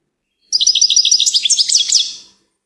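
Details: Goldfinch singing one continuous, fast phrase under two seconds long: a quick series of liquid, tinkling twitters followed by a few sharper, higher notes, clear and free of background sound.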